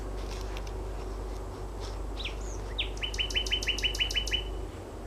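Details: Common nightingale singing about 23:30 on 4 May 2016 at Gatwick Airport's North West Zone along the River Mole: a couple of rising slurred whistles, then a rapid rattle of about nine identical notes, over a steady low rumble of distant traffic.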